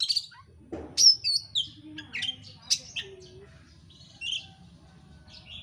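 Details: Oriental magpie-robin singing, played to spur another bird into song: scattered high whistled notes, chips and short buzzes, a loud burst early on, then softer fragments over a faint low hum.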